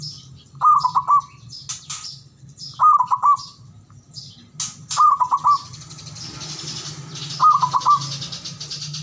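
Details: ['Male zebra dove call, played as a lure to stir silent, lazy doves into calling: four rolling, trilled coo phrases about two seconds apart, each a quick stutter of notes, with high chirps from other small birds in the background']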